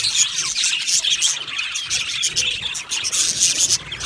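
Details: Budgie parakeets in an aviary colony, a steady wash of bright chirps and chattering trills with short whistled notes rising above the crowd.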